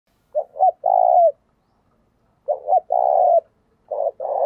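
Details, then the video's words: Decoy spotted dove in 'thổ' voice style, cooing intensely: two short clipped notes followed by a long, even, mid-pitched coo, phrases about two seconds apart, with silence between. "Chim Cu Mồi/ cu gáy giọng thổ thúc gù căng lửa"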